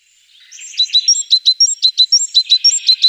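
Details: Tit calling: bright, high chirped notes that start softly and then settle into a steady run, about two per second, each note a quick rising-and-falling pair.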